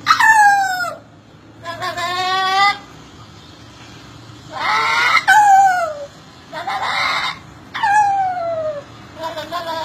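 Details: Parrot mimicking a turbo whistle with repeated harsh, harmonic squeals, each ending in a descending whistled glide, separated by short pauses, with a man speaking Portuguese.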